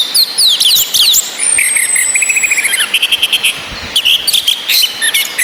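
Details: Calling female orange-headed thrush to arouse males' breeding drive: quick sweeping high notes, a long thin descending whistle, then a rapid even series of short chips, with steady rain hiss throughout.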